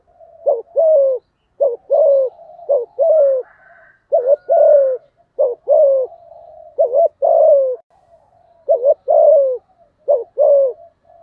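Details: Cooing spotted dove, thổ voice, used to stir a rival male; steady run of about nine paired coos, short and long, deep and hollow, with faint quiet chatter in the gaps.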